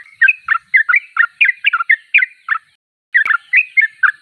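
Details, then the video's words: Sooty-headed bulbul in full song, giving rapid chortling phrases of about four notes a second, a short pause near three seconds, then the bubbly phrases resume. "Trucuk termewah suaranya paling di cari"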